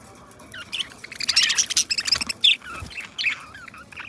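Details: Two pet budgerigars, companions, singing and talking in a rapid, scratchy warble of chirps, clicks and squeaky whistles.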